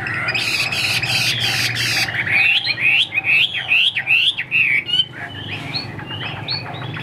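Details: Caged Chinese hwamei sings after a harsh, noisy burst of about two seconds. The song is a run of bright whistled notes that rise and fall, and it fades into softer high chips.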